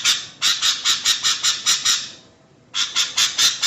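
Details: Sooty-headed bulbul, a female calling a male, in a lure recording for bird keepers: a run of harsh, buzzy notes, about eight in quick succession, then a pause and a second fast burst of the same rasping calls.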